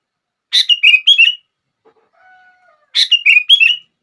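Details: Sooty-headed bulbul song used to trigger other bulbuls to sing: two short bursts of bubbly, chirping notes, each a harsh opening note followed by three liquid whistled phrases, separated by a pause with a faint low tone.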